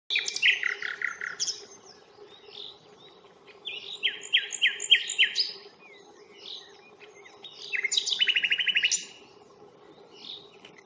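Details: Nightingale song at the Fingringhoe reserve, 1 May, filmed on a Panasonic Lumix camera while walking: phrases of rapid repeated notes and rattling series, separated by short gaps, with a faint constant hum underneath.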